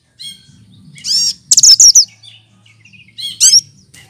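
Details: Lesser green leafbird copying other birds: a rich twittering warble, then a fast sequence of loud sharp chirps, softer scattered notes and a final bright burst, over a low hum.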